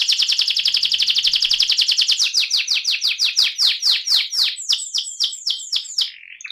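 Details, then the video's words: AF canary in a rolling song: a fast dense trill that gradually slows into distinct downward-sweeping notes, ending with a few spaced, swooping whistles. "kenari AF ngerol"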